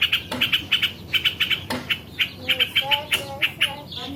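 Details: A yellow-vented bulbul delivers uneven bursts of sharp chips. Lower whistled notes and a few clicks are mixed in, and the pace stops and starts.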